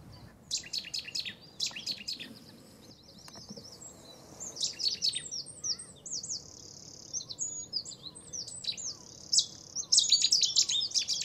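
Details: At Newport Wetlands Reserve, a Cetti's warbler displaying for territory or courtship: several bursts of loud, high, sharply repeated notes come in irregular spells, with quieter chirping between them and a steady low background murmur.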